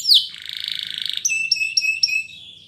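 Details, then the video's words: Spanish Timbrado canary song for training: a sharp high note, a buzzy rolling trill, then four clear, evenly spaced whistled notes on a steady pitch. "SPANISH TIMBRADO Canaries Invites All Canaries to Sing!! Canary training"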